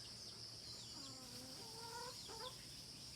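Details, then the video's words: Hen giving a few drawn-out, harmonic clucking calls that rise and bend, one after another, over steady high insect buzzing and faint background chirps. "The Sound of Hen."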